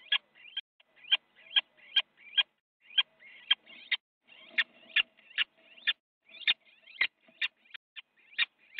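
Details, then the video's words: Little owls fighting inside a nest box in the Netherlands, one biting the other, on a January morning: rapid harsh scratchy calls near two to four kilohertz-range squeals, repeated irregularly about twice a second, with faint rustling. "Little Owl - fight in the nest box an Owl has bitten the another"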